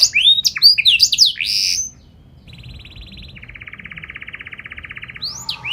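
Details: Lively canary with special phrasing, meant to provoke other canaries into song: a burst of quick swooping whistles, a pause, then soft, even rattling rolls at two pitches before a final bright note.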